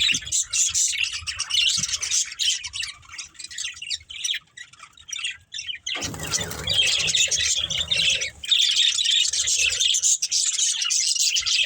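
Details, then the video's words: Pet budgerigars chirp while playing and eating: high, fast twittering with sharp squawks, then a louder, fuller burst of overlapping chatter in the second half. "Cute Budgies Chirping Sounds"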